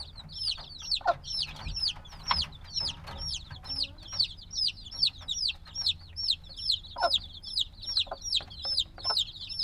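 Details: Days-old black chickens, still needing warmth from the mother, chirp steadily: loud, high, down-curving peeps about twice a second in a regular pulsing rhythm, with a few soft knocks underneath.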